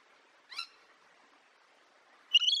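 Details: Parrot singing: two short harsh harmonic chirps, the first near the start and a louder, longer rising one at the end, separated by quiet.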